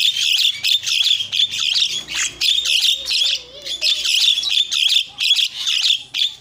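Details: Javan myna song used as a singing lure for mynas: loud, shrill, high-pitched squealing phrases repeated in quick bursts almost without pause, with a faint, low wavering tone midway.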